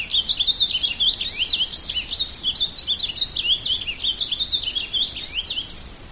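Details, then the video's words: An ultramarine grosbeak sings a fast, high, continuous warble of sliding, rising and falling notes for about five seconds, with only a faint background hiss. "Canto do Azulão"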